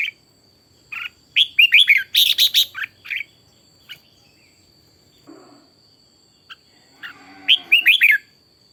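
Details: Decoy red-whiskered bulbul in morning voice training for intense, fiery singing: two bursts of quick, bright warbled notes, four to six per phrase and mostly rising then falling, with scattered single chirps between and a steady thin high tone throughout.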